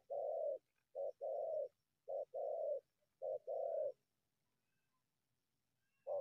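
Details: Wild spotted dove leaving cover to attack a decoy: three quick short-long coo pairs in a row, deep and hollow, then silence and the start of another coo, with faint low rustling.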